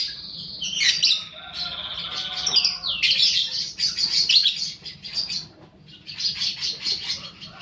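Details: Lure recording of a young fighter-type lovebird, meant to stimulate other lovebirds into long chattering song; sustained shrill, rapid chatter with squeaky twittering and brief lower rasps, a short pause, then another run of high chattering.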